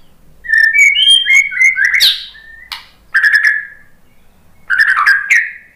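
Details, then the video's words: White-rumped shama song used as a lure: rich warbled whistles with quick clicks and a high rising sweep, followed by two shorter whistled phrases after pauses. "biar BUNYI ‼️ MURAI BATU jadi kepancing NYAUT ikut GACOR ¦ PANCINGAN MURAI ¦ SHAMA BIRD"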